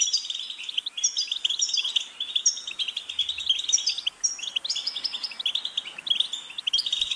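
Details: European goldfinch, a songbird kept for singing, in continuous bright twittering song: rapid tinkling chirps and short trills around a steady high band, with higher liquid notes layered above, running without pause through the whole stretch; no other clear sounds.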